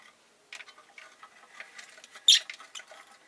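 Rosy-faced lovebird giving soft, rapid scratchy chatter, broken by one sharp, shrill chirp about two seconds in.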